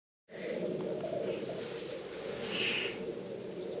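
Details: Close, loud black grouse from a weekend hide: dense, continuous low bubbling warble filling the clip, with a higher hissing note rising briefly toward the end.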